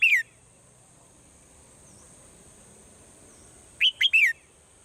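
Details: In the morning, a swallow gives a cut-off falling whistle, then after a pause a crisp three-note phrase, two short peaked notes and a longer sliding-down note, against a continuous soft high hiss.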